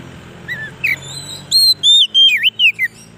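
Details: Oriental magpie-robin song used to lure wild birds and excite caged ones: soft opening notes, then a rapid run of loud, pure whistles that dip and rise, ending in a descending slur.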